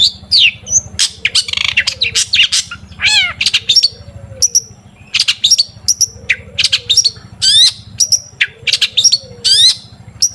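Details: Energetic long-tailed shrike song used to stir other shrikes to sing, a varied medley of rapid high chips, buzzy trills and downward-sweeping whistles in short bursts, over a constant low hum and faint lower calls.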